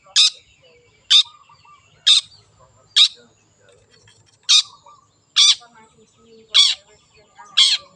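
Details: Wild long-tailed shrike uttering loud harsh rasping calls, eight in a row, spaced roughly one second apart, with faint twittering in the gaps.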